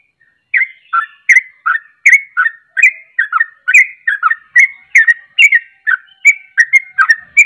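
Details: Lively yellow-vented bulbul (trucuk) song meant to provoke other bulbuls: a long, fast run of bubbly chirps alternating high and low notes, roughly three per second for about seven seconds, with nothing else heard.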